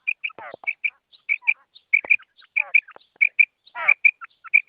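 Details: Female quail call for luring quails in trapping: quick pairs of clear, piping notes repeated steadily, broken now and then by coarse, grating downward rasps.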